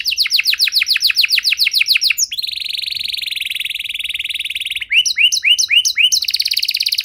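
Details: Canary singing a long varied song used to prompt other canaries to sing: a rapid trill of descending notes, a sustained buzzy rolling note lasting over two seconds, then swooping slurred phrases and another fast trill.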